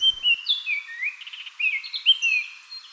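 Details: Baltimore oriole (Icterus galbula) singing a string of rich, slurred whistles that glide down and up between notes, with a brief buzzy stutter in the middle.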